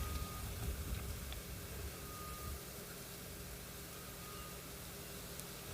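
A vehicle engine rumbles low and steady throughout, with faint thin beeps and no animal calls.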